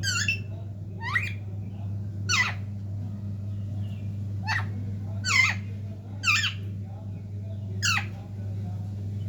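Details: Talking parrots kept indoors, giving sharp, descending harmonic squawks roughly every one to two seconds over a steady low hum.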